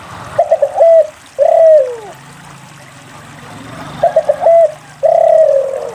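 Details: Spotted dove singing tirelessly, used to encourage quiet doves to call: two phrases, each several short rapid notes then a drawn-out coo sliding downward, with a quiet gap between.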